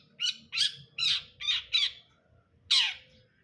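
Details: Long-tailed shrike, called cendet brundol, giving five loud, rasping squawk-like notes about half a second apart, then a pause and one more harsh burst; low faint hum beneath.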